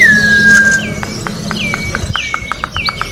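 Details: Orange-backed troupial song outdoors, meant for training birds: one long slightly falling whistle, then repeated short dropping whistled notes mixed with quick ticking clicks, over a soft constant hum.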